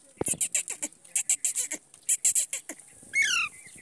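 An Indian ringneck chatters in quick, raspy, speech-like syllables, about a dozen in under three seconds, then gives a short shrill whistled squawk.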